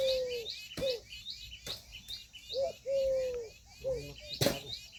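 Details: Female Indian peafowl calling with long, steady mid-pitched notes that fall away at the end, mixed with shorter bent notes. Quick high chirping from another bird runs behind, with a few sharp clicks or knocks.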